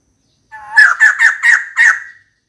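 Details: Female white-crested laughingthrush calling for a mate: five loud, harsh, harmonic notes in a quick series about a quarter second apart, the last slightly drawn out, with silence before and after.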